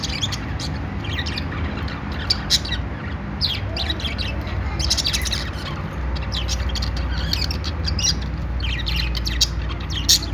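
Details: Budgies, Australian parrots, making happy sounds: a dense, continuous chatter of short high chirps and squawks from several birds, with a steady low background rumble.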